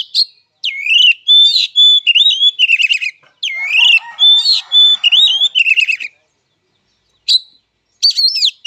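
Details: Oriental magpie-robin fighting song: repeated bursts of loud slurred whistles, flat whistled notes and buzzy trills, with a soft low chatter in the background during one pause and loud notes resuming at the end.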